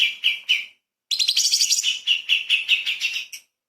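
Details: Light-vented bulbul in lively full song, used as training audio for magpie-robins: short whistled phrases, a brief pause, then a fast chattering run of bright notes.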